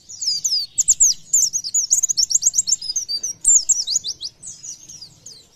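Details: Oriental white-eye (pleci) delivering a continuous high twittering song of quick, downslurred notes in dense rapid series, fading slightly toward the end.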